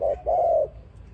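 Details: Single dove phrase used for trapping other doves: a brief low coo, then a longer smooth drawn-out coo that fades away.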